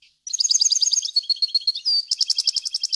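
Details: Goldfinch song, pure and faultless, meant for tutoring fledglings: fast liquid twittering, a sliding whistled note, then a run of bright evenly spaced repeated chips.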